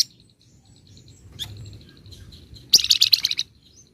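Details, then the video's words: Flamboyan singing actively in the rapid, dense ngebren style: after a quiet stretch with soft scattered chips, a loud burst of fast high chattering notes lasts under a second, then fades to low background hum. "Burung FLAMBOYAN GACOR Ngebren Rapat Full Nyecret"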